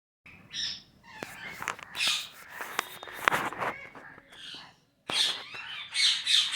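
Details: A parrot recorded August 26, 2023, gives a run of harsh squawks, clicks and short whistled chirps, a brief pause, then a second loud burst of chatter. Parrot.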